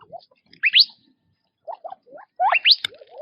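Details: Quail feeding in their natural habitat give two sharp rising double whistles separated by a pause holding a few soft low wavering chirps.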